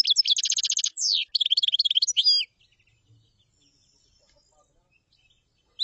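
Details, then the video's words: Common chaffinch song already under way at the start: a fast, even trill of high notes, then a twittering run ending in short slurred notes, followed by a few seconds of near silence. "تغريد تبلاط"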